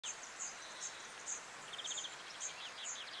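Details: European greenfinch (Chloris c. chloris) at Quiberon, France, in April 2023, giving quick twittering trills in the middle pitch range over a steady series of thin, very high ticking notes about every half second.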